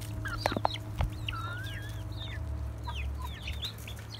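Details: Rooster, hens and well-grown chicks in a family coop: high, thin peeping whistles that slide downward, repeated throughout, with a few short low clucks near the start over a steady low hum.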